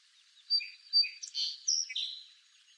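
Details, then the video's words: {'caption': 'High-pitched song sparrow song from eastern North America: two crisp introductory notes followed by a cluster of buzzy, slurred phrases, clean and close with little background.'} "Song Sparrow Bird Song"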